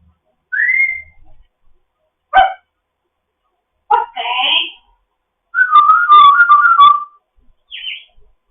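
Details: Grey parrot kept as a foster bird, chattering in the morning: a rising whistle, clicks and sharp pops, a raspy burst, then a warbling wavering whistle run and a short high squeak, with silence between the sounds.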